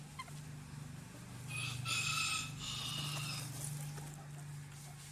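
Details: A rooster crows at moderate distance, a hoarse, segmented cock-a-doodle-doo lasting about two seconds, over a steady low mechanical hum.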